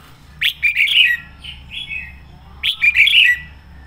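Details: Red-whiskered bulbul used as a decoy bird, giving a fiery sổ bọng song: two loud, rapid warbled phrases of clear chirping and slurred whistles about two seconds apart, with softer whistled notes between them.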